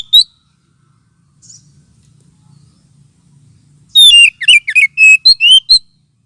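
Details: Oriental magpie-robin lure sound, also used as therapy for birds lacking aggression: a short burst of loud, fast whistled and warbled notes near the end, a few quick varied phrases after a brief opening chirp and mostly quiet gap.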